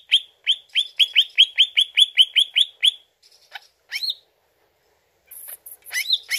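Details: Greater green leafbird song used as a lure to draw an answer: a rapid run of a dozen identical clipped downslurred whistles, then near silence with scattered high chips and a few rising-falling whistled notes.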